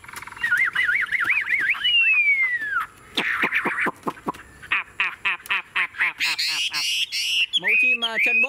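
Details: Tame caged Chinese hwamei, a boot-legged bird, singing loud and nonstop: a warbled whistle wavering up and down, a long slurred descending note, then rapid sharp clicks and varied chattering phrases.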